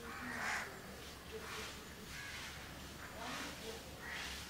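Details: House crows, a couple preening one another in Candolim, Goa, December 2010: a louder rough caw near the start, then several quieter harsh bursts spaced about a second apart, with soft low tonal notes and constant background hiss.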